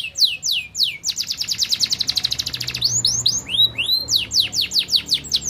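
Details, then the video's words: Canary song played to prompt other caged canaries to sing: fast, high descending sweeps, then a rapid buzzy trill, followed by looping downward-curving whistles repeated several times a second, bright and loud throughout. "SEKALI PUTAR KENARI LANGSUNG NYAUT!!"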